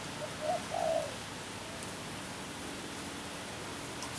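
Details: A single spotted dove coo phrase near the start: a brief low note, then a longer mellow hoot. The rest is steady faint hiss and near silence.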